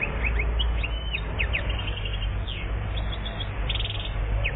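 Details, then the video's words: European goldfinch, one year old, from Algeria, 2014, singing a quick run of thin, high twittered notes and short slurred chirps in loose bursts, over a steady low rumbling hum. "Best chardonneret 1 year Algérie 2014"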